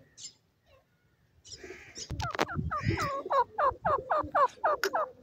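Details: Painted francolin (Francolinus pictus) giving a loud, harsh, rapidly repeated series of grating notes, about three or four per second, after a few soft rustles.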